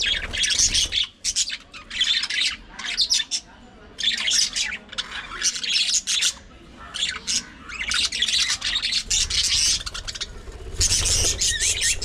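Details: A group of pet budgerigars in their everyday routine of fun, fights and mutual grooming: loud harsh squawky chatter in repeated bursts of one to two seconds with brief gaps.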